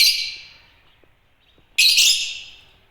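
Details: Two loud, shrill screeches from Agapornis lovebirds about 1.8 seconds apart, each sharp at onset and trailing off, with faint clicks in between.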